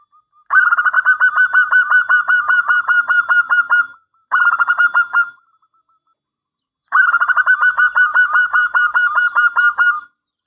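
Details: Local zebra dove repeating its long-phrase lure song, used to train and provoke other doves: three strong runs of fast, staccato bubbling coo notes at a level pitch, with brief silences between.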